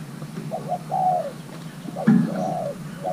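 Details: Thai-hybrid spotted dove, a young male during pairing, gives two soft falling coos, each preceded by brief introductory notes; a low rumble in the background.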